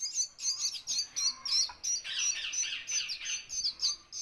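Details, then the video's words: Parrot chicks being fed, giving continuous high-pitched raspy chirping begging calls in rapid pulses, several per second, without pause. "How to feed baby chicks"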